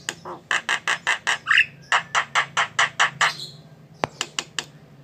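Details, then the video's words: Jalak (starling) singing vigorously: steady, rapid harsh rasping notes, roughly two or three per second, broken by one rising whistled slur, then a pause and a few quicker clipped notes over a low background hum. "Suara burung Jalak"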